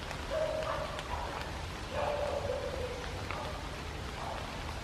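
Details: Buff-bellied Puffbird at Iguazu, Misiones, Argentina, giving two low, drawn-out whistled notes about a second and a half apart, each sliding slightly down, over steady rain-like hiss.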